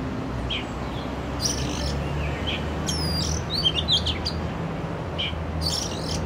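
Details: Oriental magpie-robin in a city, recorded with a Canon R6: brief scattered notes, then a quick burst of bright whistled sweeps and chips midway, with a steady low urban drone underneath.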